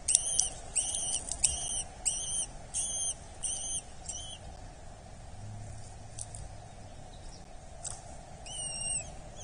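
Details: Eurasian hobby chick at a nest in Dorset, being fed, 8 July 2024: thin, whining, slightly rising calls with bright overtones, repeated in quick bursts roughly every half second for four seconds, then fainter scattered calls over a steady low hum.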